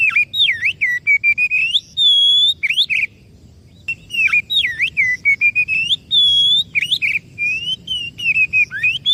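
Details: White-rumped shama song used as a lure to get a silent or stressed bird singing: loud clear whistles, rising and falling slurred notes and a long steady high whistle, in bursts with short pauses, faint soft chirps beneath.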